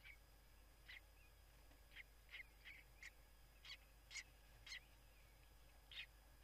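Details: A common kestrel chick, the first one visible in a nest box at a water tower in Scheveningen, Netherlands, gives thin, high squeaky cheeps at an uneven pace, a few per second at most, over a steady low hum.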